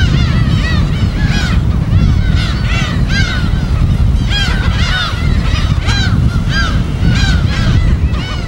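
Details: Dense chorus of gull calls at a breeding colony on an uninhabited West Sea island, Korea: continuous overlapping nasal, down-curving cries from many birds over a constant low roar of waves.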